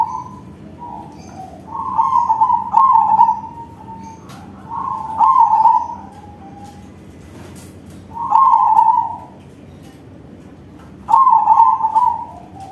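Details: Crossbred zebra dove (perkutut crossing) singing loudly: rolling, vibrating coo phrases of one to two seconds each, repeated every three seconds or so, with quiet gaps between.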